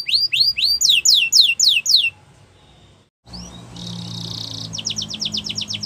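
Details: Russian canary training song: loud series of sweeping whistled notes repeated about four per second, then a brief pause followed by a buzzy trill and rapid clipped notes over a faint low hum.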